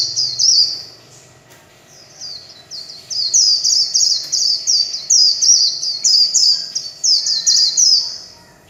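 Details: A kept warbling white-eye delivering the líu chòe song type, one brief high burst, a short gap, then steady rapid high-pitched sweeping phrases running almost continuously.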